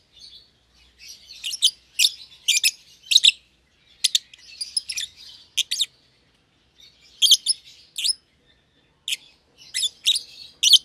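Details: Lovebird pair, one euwing green opaline and one albino with red eyes, young and caged as a pair; bursts of sharp, high, rasping chirps in clusters separated by short pauses.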